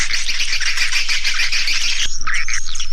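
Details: Swiftlet lure call played to attract swiftlets: a dense, continuous chatter of buzzy, twittering chirps repeated in rapid pulses, shifting to a sparser, higher twitter near the end.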